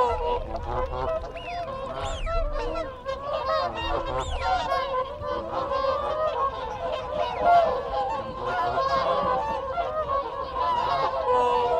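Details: Whooper swans in a group giving close contact calls: a dense, continuous chorus of nasal honking notes, with rising-falling whistles of wigeon and honks of Canada geese calling in the background.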